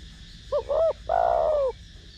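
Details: Spotted dove in the 'thổ đồng' voice, cooing to stimulate trainee doves: brief opening pip, arched hoot, then a long, full, slowly descending coo, with faint background hiss.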